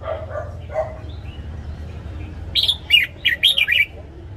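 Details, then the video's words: Red-whiskered bulbul morning song used to train caged birds. A few faint low notes open, followed by one loud phrase of six lively, chirping whistled notes near the end. "Luyện giọng chào mào hót sáng DÙNG ÉP BỔI / ép má trắng"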